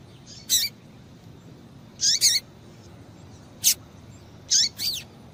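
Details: Calls of a female Double-collared Seedeater used to make males sing: clusters of quick high chirps with slurred downward tails, often in pairs, separated by pauses of one to one and a half seconds, over soft steady background noise.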